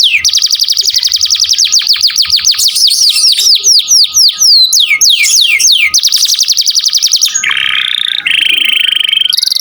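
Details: Canary in full song, used as a model for training songbirds: long rapid rolling trills, descending swept notes, then a buzzy chattering phrase, all high and loud with a faint steady tone beneath.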